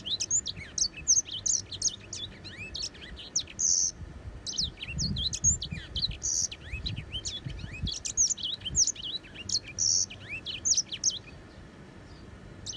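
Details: Grey singing finch giving a long, continuous high-pitched warble of rapid chirps, twittering trills and down-slurred whistles, with brief low thuds in the middle of the passage.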